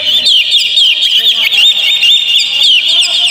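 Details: Caged-bird lure of an Oriental magpie-robin: a loud, unbroken rush of quick rising and falling whistled twitters, densely layered.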